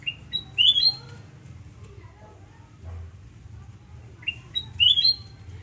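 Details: At a house in Surabaya one morning, 29 November 2017, a sooty-headed bulbul gives two brisk, clear whistled phrases roughly four seconds apart, separated by quiet soft chatter and a constant low background hum.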